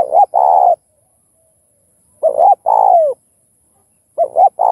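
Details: Spotted dove song used to spur other doves into calling. Three phrases of two quick notes and a drawn-out coo that slides downward at its close, separated by pauses of over a second, on a clean, quiet background.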